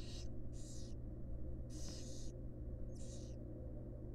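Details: At a wild barn owl nest box where the female feeds her fledglings, four rasping, noisy hisses come in quick succession, the third drawn out longest, against a constant low hum.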